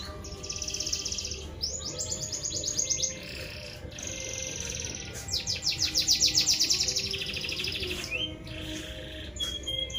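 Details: Canary singing in lively, full voice: long high trilled phrases of rapid repeated notes, some fast buzzy rolls and clear whistled notes, bursts separated by brief pauses, over a low steady background hum.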